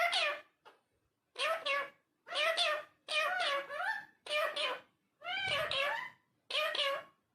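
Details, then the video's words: Parrot talking indoors: a run of about seven speech-like syllables and short phrases with a gap between each, the voice nasal and harmonic, no other clear sounds. "Talking Parrot"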